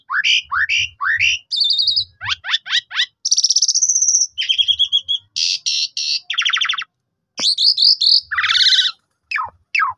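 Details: Black-collared starling singing to provoke rival starlings into song: rapid downslurred chirps in series, a sustained whistled note, buzzy rattles and sharp scratchy notes, with faint low thumps beneath.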